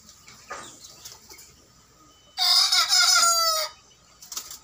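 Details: First-ever crow of a 60-day-old young native rooster, one of three young males on a backyard village-chicken farm in Parapat; a single loud, strained harmonic crow of just over a second stands out against quiet surroundings.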